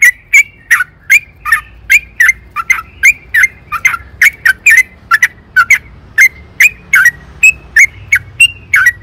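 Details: Yellow-vented bulbul in an energetic, long rolling song, played as a lure to get caged birds singing: bubbly whistled notes repeated rapidly, about two to three per second, each with a sharp bright edge, with a faint low hum beneath.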